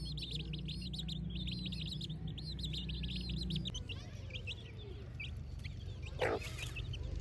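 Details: Chicks in a village in the morning, giving dense runs of high, downward-slurred peeps that overlap steadily for several seconds, then fade to scattered chirps over a low rumbling background.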